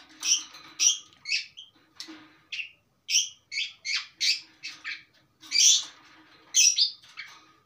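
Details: Long-tailed shrike singing steadily, its song rich in imitated material: a rapid series of short, harsh, squawking and chattering high notes of varied shape, delivered in quick bursts with brief gaps.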